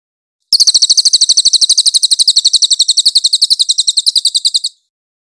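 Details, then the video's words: Cililin master song, a clear recording meant for training magpie-robins: a loud, very high, rapid trill of sharp chirps, about nine notes a second, running steadily for about four seconds with an abrupt start and stop. "Masteran cililin Suara jernih cocok buat muray"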